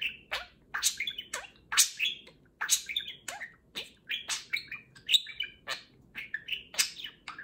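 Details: Pet budgerigar, a parakeet, talking loudly in the morning while a second budgie grooms it, the pair being affectionate; chattering bursts of warbled, speech-like syllables and sharp chirps every half second or so, with quiet gaps between.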